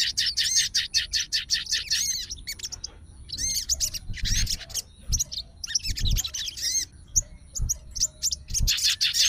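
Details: An agitated sooty-headed bulbul of fighter style, calling out to an opponent with bursts of quick, high, warbled chirps and brief whistles, broken by short pauses and a few dull low thuds.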